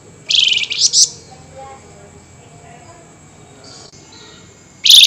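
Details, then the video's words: Flameback heard at night, vocal and excited, giving a sustained buzzy, high-pitched rattle that breaks into squeaky notes. After a quiet pause, another shrill rasping burst comes at the end. "Tembakan Burung FLAMBOYAN GACOR Nyerecet Emosi Tinggi DiMalam Hari"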